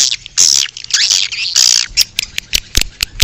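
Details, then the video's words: Swiftlet calls recorded outside and used to lure swiftlets: a few long, harsh, buzzy high chirps, then short sharp ticking notes spaced irregularly. "Âm thanh chim yến ngoài trời - Âm thanh gọi chim yến"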